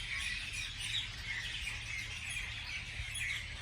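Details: Beautiful morning birdsong: a steady chorus of high chirps and short whistles from several birds, with a soft low hum underneath.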